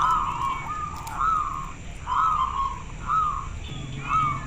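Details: Clear-voiced local zebra dove said to make others reply: longer drawn coo phrases of a few seconds each, rising and falling slightly, repeated about once a second with short gaps.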